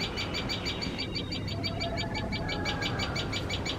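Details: Alarm calls of a common tailorbird that fears cats and is feeding chicks: rapid, insistent high chips repeated nearly three times a second, with a faint lower tone drifting in midway.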